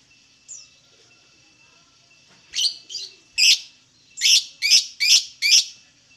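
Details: Lovebird calls played to provoke other lovebirds into singing: after a faint opening chirp, sharp high buzzy chirps come singly, then in a quicker run of four, about half a second apart.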